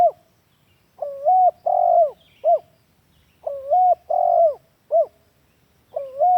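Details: Spotted dove lure call used as a master recording to train captive doves: repeated phrases of low, mellow coos, a short rising note followed by two drawn-out hooting notes and a clipped end note, each phrase about every two and a half seconds.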